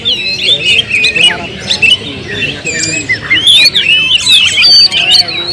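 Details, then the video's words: Kept Oriental magpie-robin in full song, a long run of varied whistles, harsh chattering notes and rapid slurred trills delivered almost without pause, over faint low background noise. "suara kicau burung Kacer"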